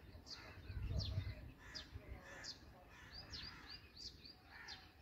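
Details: Chicks of the black drongo being fed utter a run of piercing, falling squeals and softer chirps, several per second, with a low bump of noise at the start.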